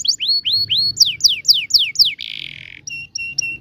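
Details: Canary song, meant to teach young canaries to sing: repeated rising and falling whistled notes about four per second, a short harsh buzzy burst, then thin paired high notes.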